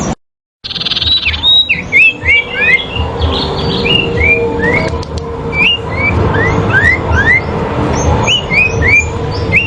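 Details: Sooty-headed bulbuls in a fighting duel, used as a training track. Many overlapping whistled, upslurred notes come from several birds. A dense burst of chatter opens the recording, with a steady low rumble underneath.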